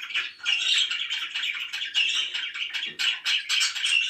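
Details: Happy pet budgies keep up a steady stream of scratchy, twittering chirps and warbles, overlapping notes packed closely with short clicks between bursts.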